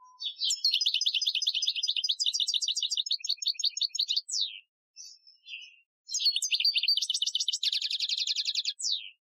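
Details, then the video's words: European goldfinch singing an Algerian-style training song, recorded in 2015: dense, rapid twittering phrases of high, tinkling notes and trills, a short pause with a few scattered notes, then a fresh burst with a buzzy rattling trill; a brief tone at the very start. "Chardonneret Chant Algerien 2015 , chant de dressage"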